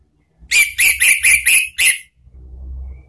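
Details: Orange-headed thrush lure song, ngeplong and ngeriwik style: six evenly repeated, fairly low, rich whistled notes, each slightly slurred, followed by a faint background hum.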